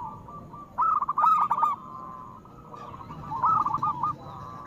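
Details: Local zebra dove with a big voice, meant to prompt silent doves to sing: two phrases of fast stuttering coo notes ending in a rolling trill, separated by a quiet gap.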